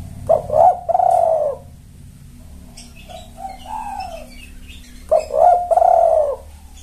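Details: Spotted dove coos used as a lure for males: three phrases, a clipped double note leading into a long sagging coo, the middle phrase softer, spaced roughly two seconds apart over faint background hum.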